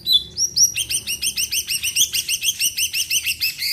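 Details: Greater green leafbird, kept as a lively singer to get other birds singing, opens with a few clear upslurred whistles, then breaks into a rapid steady string of about twenty repeated chirps.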